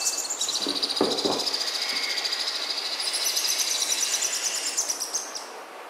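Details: Hand-fed baby sun conures beg with a continuous, harsh, high-pitched rasping buzz, pulsing rapidly about three times a second, during handfeeding; a few soft thumps from handling are heard.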